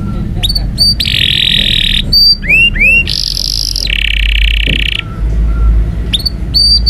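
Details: Indonesian canary song meant for training young canaries: short whistled upslurs broken by long harsh buzzy rolls held about a second each, then more clipped whistles, over a low steady hum.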